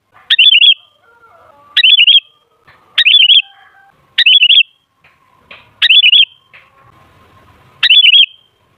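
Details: Sooty-headed bulbul song used as a lure to get other bulbuls singing: short bubbly whistled phrases, each a quick wavering cluster of notes, repeated six times about every one to two seconds, with faint soft background chirps.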